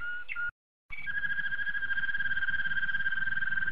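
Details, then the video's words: Malinois canary: a short whistled slur, a pause, then a long steady rolling trill held on one pitch with a faintly pulsing rhythm. "ساعه من تغريد طائر الكناري مالينوا canari malinois"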